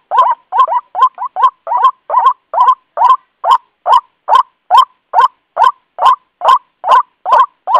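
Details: White-breasted waterhen lure recording, meant to draw birds close: a steady run of harsh, nasal croaking notes, about two each second, nineteen in all, with nothing else heard.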